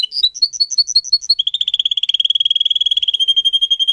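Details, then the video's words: Canary song used to train pet singers: a run of clear whistled notes alternating between two pitches, about four per second, leading into a fast rolling trill of even pulses that continues to the end. "Canary song video - type of song"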